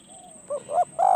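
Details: Spotted dove at close range on a decoy-luring perch: a brief, loud burst of two or three hollow, throaty coo notes rising in strength, with a thin high insect tone in the background.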